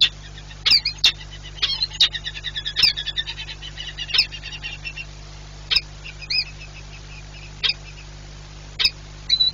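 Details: Nesting peregrine falcon pair in Płock, Poland, 4 April 2022, during frequent changeovers; a quick, chattering run of thin repeated notes, then spaced single calls, with sharp clicks and a low background drone.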